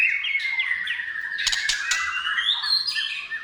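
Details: Gacor song of a white-rumped shama: clear whistled notes sliding downward and then rising, broken by a few loud sharp clicks midway.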